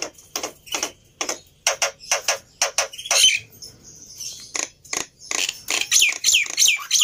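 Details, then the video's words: Black-winged myna singing, used as a lure to push young birds into song quickly. Harsh, broadband rasping notes repeat about three per second, with a rising whistled squeal near the middle and a burst of scratchy notes at the end. "Sangat Ampuh Memancing Burung Jalak Putih Bahan Cepat Bunyi Anti Mandek || Jalak Putih Gacor"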